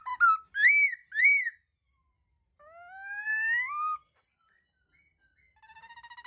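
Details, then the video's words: Laughingthrush (khướu) in song: three arched whistled notes, a silence, a long clear rising whistle, then a short fast buzzy trill at the end. "tiếng chim khướu hót"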